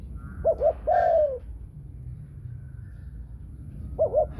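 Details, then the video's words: Female Thai-strain spotted dove calling in the 'thunder-voice' (thổ sấm) style with two clear closing notes: two short low coos and a longer falling coo, then a pause and two more short coos, with faint background murmur. "Chim cu gáy giọng thổ sấm chuẩn"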